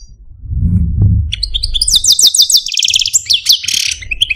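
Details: Caged male Algerian parva European goldfinch kept as a pet, singing: after a second of low rumbling background noise, rapid high twittering trills and buzzy rattles burst in and run continuously to the end.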